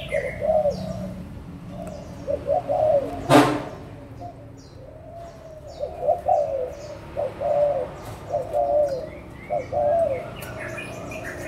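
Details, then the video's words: Adult spotted doves, Malaysian and Thai birds, 16 March 2022: soft, repeated coo phrases in runs of three to four notes, with a sharp click near the start and faint high chirps from other birds behind. "cu gáy trưởng thành malaysia và thailand"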